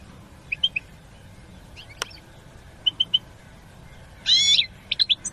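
European goldfinch giving scattered high, tinkling chirps in quick pairs and triplets, then a brief liquid twittering burst near the end; faint background hiss.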